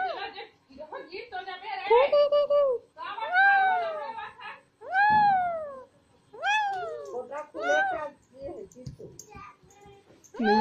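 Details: Pet green Alexandrine parakeets, a pair shown dancing and talking, mix chattering speech-like syllables with loud arched calls, several rising-falling notes spaced about a second apart indoors.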